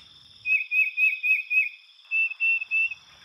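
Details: Tufted Titmouse song recorded on a trail where neighbouring birds share a local song neighbourhood (micro-dialect): clear, slurred whistles repeated quickly, five notes then three more, over a steady high insect-like hum.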